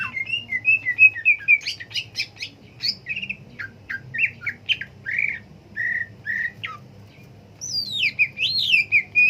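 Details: Green leafbird sings a long run of varied whistled phrases and chirps, some rising and some falling, with clicks mixed in, a short quiet gap, then a looping rising and falling whistle.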